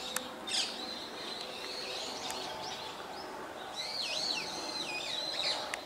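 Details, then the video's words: Brown-eared bulbul in Hourai Park, Ōta, Tokyo, the source of most bird calls there, gives loud, wavering whistled notes that rise and fall in quick sweeps, with a burst near the end; faint hiss and distant chirps. "ヒヨドリHypsipetes amaurotis↩Most bird calls are this bird"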